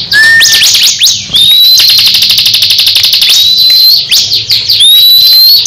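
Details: Crescent-chested babbler singing in a duel against another bird, each showing off its style: loud high whistles, sharp upslurs and fast rattling trills of tight rapid notes.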